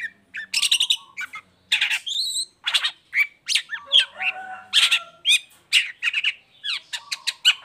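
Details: Long-tailed shrike lure song for idle or moulting shrikes: a dense, continuous medley of harsh rasps, clipped chirps, sliding whistles and stuttered trills with hardly a pause.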